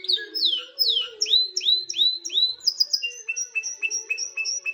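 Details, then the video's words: Canary song meant to prepare a female for breeding: sweeping downward whistles repeated in quick series, followed by high clipped notes and a thin sustained tone, with a low steady hum behind. "ولا أروع أصوات طيور الكناري #تجهيز أنثى الكناري للتزاوج"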